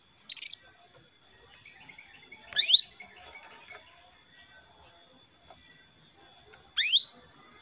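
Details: Female canary calling a male, used as a lure for male song: one short level whistled note followed by two steep, downward-sweeping calls spaced a few seconds apart, over faint background chatter and a thin steady tone.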